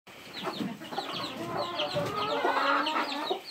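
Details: Baby chickens with their mother hen: a dense overlapping chorus of high, thin peeps from several chicks, with lower soft clucking from the hen running underneath throughout.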